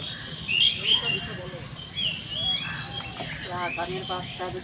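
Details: Farmed domestic geese in a rice field make a quick run of rasping, stacked honks near the end. Earlier, sharp whistled chirps from other birds ring out over steady outdoor background noise.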